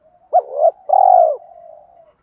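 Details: Spotted dove decoy call meant to stir wild doves into calling: one sharp upswept note, a softer rolling note, then a long steady coo that trails into a faint low murmur.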